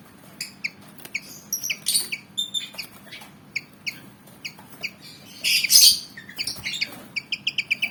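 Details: Black-and-white Javan fantail, roughly 19 cm long, worked up and wanting to fight, gives rapid high chirps and squeaks in uneven bursts, with a louder harsh burst midway and quick stuttered notes near the end.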